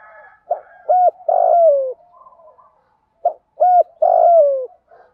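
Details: Male and female spotted doves cooing as a lure to draw wild birds into calling back; two clean phrases of low mellow coos, each ending in a longer drawn-out note that slides downward, with faint soft background coos.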